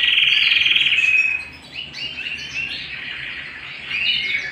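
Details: Canary singing at home with a loud steady buzzing trill for over a second, then quieter scattered chirps and short warbled phrases.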